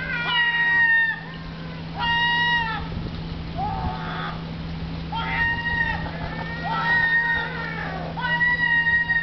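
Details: Herring gulls at Riga Zoo in Latvia, thwarted by fish drowned at the pool bottom for cormorants, give loud nasal, harmonic yelping calls in bursts about every one to two seconds, with a constant low electrical hum beneath.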